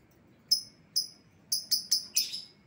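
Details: Lovebird lure call for an escaped bird: short piercing high chirps, first spaced half a second apart, then quickening into a tight cluster.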